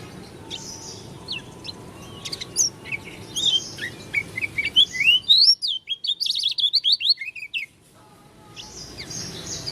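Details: Oriental white-eye, dakun form from Lombok, singing strangely: scattered thin notes over a hiss build into a quick, loud run of high rising and falling chirps that ends abruptly.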